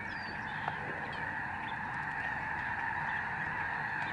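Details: Thousands of Lesser Snow Geese flying over the George C. Reifel Migratory Bird Sanctuary in November 2011 create a thick, constant roar of honking voices, steady from start to finish.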